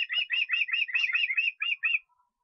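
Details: Estonian osprey on 23 August utters a short flurry of squeaky whistled chips, crowded at first, then slowing into a few separated notes before stopping.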